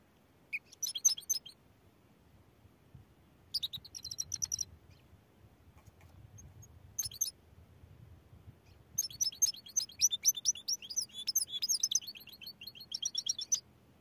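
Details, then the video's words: Goldfinch mule singing: short bursts of bright, high twittering and trilled notes separated by pauses, ending in a longer, rapid run of sharp chirps, over a faint low hum. "Goldfinch Mule Singing | Goldfinch Song"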